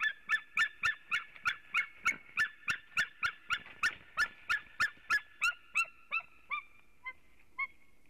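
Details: White-tailed eagle pair at the nest in Latvia, filmed by webcam on 26 February 2018 around 11:06 am, as the male arrives for nest work and the female for mating. Loud yelping notes come about three per second, slowing and fading at the end.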